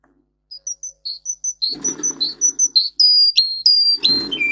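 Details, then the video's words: Russian singer canary, bred for singing, in a training song: soft spaced whistles growing louder and faster, with light rustling, then long clear high notes and a falling whistled phrase. "For training Canary singing (Russian singer canary singing) Original Song. Для обучения канареек"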